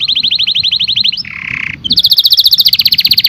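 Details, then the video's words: Singing canary delivering a rapid pulsed trill, a short harsh buzzy section, then another fast high trill rolling to the end, with soft low background noise. "The most Beautiful Sound Of Canary - Canary Singing"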